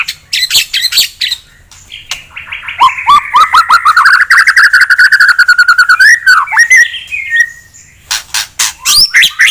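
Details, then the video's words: A white-rumped shama (murai) singing a fighting song meant to provoke a rival's aggression. Chirps give way to a fast, rhythmic run of buzzy, rolling notes, then sharp whistled flourishes. "TEMBAKAN SUPER JITU,!!, ASLI CEPAT MENAIKAN EMOSI LAWAN"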